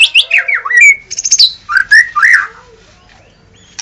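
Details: White-rumped shama giving a brief outburst of sliding whistles and buzzy notes, then falling silent.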